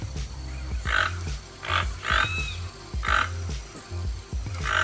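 A keel-billed toucan gives dry, froglike croaks, about one every second, over soft background music.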